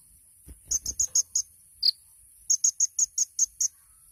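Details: Sunbird called 'kolibri ninja' in 'tembakan' masteran song: a short run of five high chips, one lower note, then seven bright, evenly spaced chips, with faint low rustling early on.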